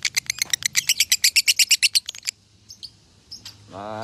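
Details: Konslet lovebird song from Salatiga, bird credited with 8400 points: a rapid burst of sharp high chirps for two seconds, then scattered faint notes and a low rising sound at the end.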